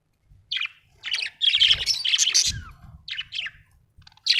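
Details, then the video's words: Budgerigars chirping: a few separate high chirps, then a dense rush of squeaky, twittering chatter, then more spaced chirps, with some low thumps underneath. "Australian budgies parrots l budgie chirping sound"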